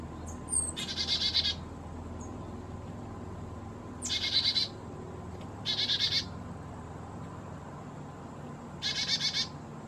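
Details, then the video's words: A black-capped chickadee, possibly a Carolina hybrid, at a feeder at 4000 feet in the Great Smoky Mountains in warm weather, fussing over sunflower seeds: four bursts of harsh, buzzy dee notes, each opened by a thin high chip, over a low hum. "Black Capped Chickadee Call and Song"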